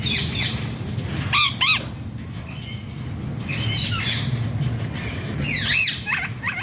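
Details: Alexandrine parakeet (pahaadi tota) in a recording of funny talking sounds: a pair of quick arched squawks near 1.5 seconds, softer short notes mid-clip, then a bright wavering squawk burst near 5.8 seconds, over constant low hum.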